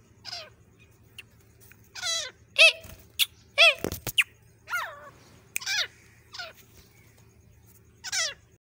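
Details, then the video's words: Grey francolin female giving a lure call for hunting: shrill descending squeals about once a second, some doubled, with a couple of sharp clicks midway and a faint low hum beneath. "female Ki Awaz Shikar ke liye"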